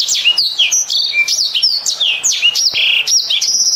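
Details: A black-throated canary in full, sweet song delivers bright whistled phrases with steep downward and upward slides, some held clear tones, and fast ornamented notes in constant succession.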